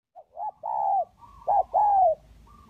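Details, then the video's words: Spotted dove call used to lure hybrid and village birds: a clear sequence of mellow coos, short notes leading into two long, smooth, slightly falling drawn-out coos, in a quiet setting. "Pikat Tekukur Kacuk dan Tekukur Kampung"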